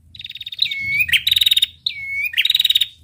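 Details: Captive-style training recording of a female prinia: two sweeping whistled notes that drop and rise, each breaking into a fast rattling trill, high-pitched with a faint low hum beneath.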